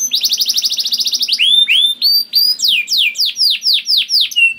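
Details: Canary singing to trigger song in other canaries: a rapid even trill lasting over a second, then slower loud whistled notes sweeping downward, about three or four per second.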